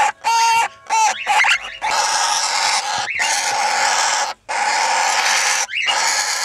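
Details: Red-winged parrot pair, aged two, raising 20-day-old chicks in their first breeding. A few clipped nasal notes open into long hoarse, hissing calls with brief gaps between.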